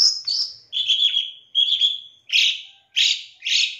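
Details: Long-tailed shrike song used as a lure to provoke a shrike into singing: a high, slurred whistle, then two drawn-out buzzy notes, followed by three harsh, raspy bursts at steady intervals.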